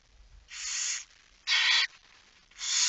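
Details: Barn owl at the nest at feeding time, night of 10 September 2019: three short, scratchy hisses in quick succession, each about half a second long, against a quiet background.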